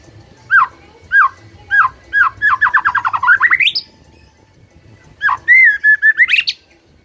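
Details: White-rumped shama in loud song: separate descending whistles, then a fast accelerating trill rising in pitch, a pause, and a long sustained whistle ending in rising notes.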